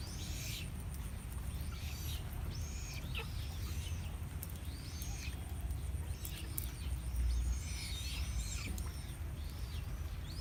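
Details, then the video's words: Chinese blackbird singing a series of high, arched whistled phrases, each under a second long, repeated with short pauses over steady low rumbling background noise and a few sharp clicks. "Tiếng chim chích cồ"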